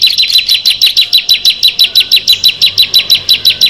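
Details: Bar-winged prinia, locally ciblek, one of six: quick, even chirps, each a short down-slurred high note, repeated about five times a second throughout.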